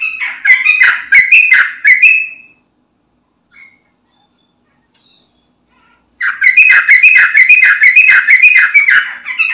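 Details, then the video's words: Yellow-vented bulbul singing vigorously as a lure for other bulbuls; two bursts of rapid, bubbly, chattering notes, about two a second, separated by a quiet gap of several seconds. "Trucukan Bahan, Ombyokan Langsung Nyaut Dengar Suara Trucukan Gacor ini"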